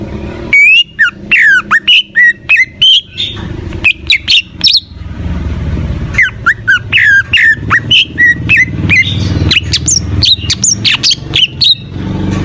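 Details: Cucak ijo, the greater green leafbird, singing full gacor: dense bursts of sharp chirps and whistled slurs, a short lull, then a renewed rapid string of notes over steady low rumbling noise.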